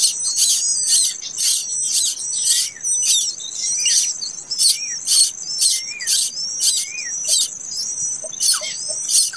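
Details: Late-hatched plaintive cuckoo chick, a series of harsh, hissing raspy bursts repeated about every half second over a steady high-pitched insect whine, with faint short chirps in between.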